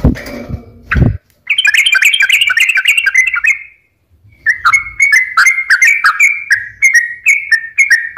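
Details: Yellow-vented bulbul song used as a lure for stressed or quiet birds, opening with a brief low knock and rustle, then a burst of bubbly warbling, a short silence, and more repeated liquid phrases.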